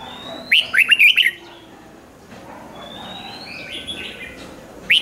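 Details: Red-whiskered bulbul song in the rik style, meant for playback to rouse caged birds: a lively burst of rapid, rolling chirps early on, then faint upward whistles, and a short final note at the end.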